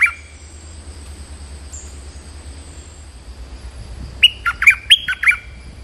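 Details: Stripe-throated bulbul calling to lure a territorial resident: after a faint opening note and a few quiet seconds, a fast bubbly burst of about six chattering notes closes the recording.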